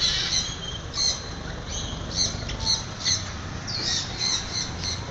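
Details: Free-flying macaws in the morning, loud grating squawks in short bursts about every half second to second, rising in strength, over low background noise.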